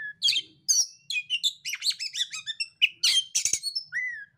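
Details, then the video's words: Oriental magpie-robin song, used as a lure to make a silent or stressed bird answer: a rapid run of varied whistles, buzzy trills and sharp chirps, ending in a clear falling whistle, with faint low hum underneath. "pancingan kacer terampuh kacer macet, kacer setres langsung nyaut"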